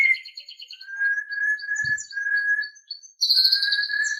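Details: Murai batu, the white-rumped shama, singing for captive-bird training: steady mid-pitched whistles strung into smooth phrases, broken by a short pause, then a bright high buzzy trill over a sustained whistle.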